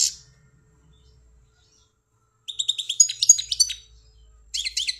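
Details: Pet European goldfinch from Algeria, after a brief buzz and a pause, bursting into rapid repeated chirps and tinkling twitters, then a short final twitter.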